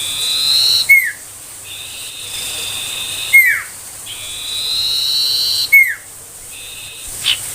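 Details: Ashy tailorbird song used to tutor magpie-robins and rouse young tailorbirds: loud sharp downslurred notes about every two and a half seconds, alternating with steady level high tones and faint background hiss.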